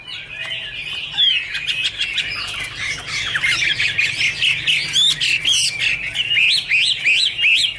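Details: A Chinese hwamei in song, 2017, its varied whistles and rapid twisting phrases growing louder and busier as the phrase builds, with a soft hum below.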